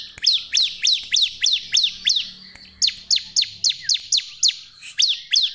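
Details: Energetic Bar-winged prinia song meant to coax other prinias into singing: a rapid run of steep, high, downward-sweeping notes, about three per second, with one brief break midway before the series resumes.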